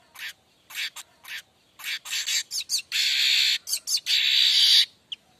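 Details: 'Mbeset' song of a vocal streaked weaver, used for tutoring young weavers: a series of short separated chip notes quickening into overlapping buzzy phrases and two long sizzling buzzes near the end.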